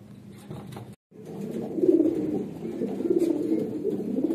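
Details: Red Lahore Siraji domestic pigeons: quiet low murmuring, a short pause, then strong, guttural, rolling coos that rise in loudness and continue steadily.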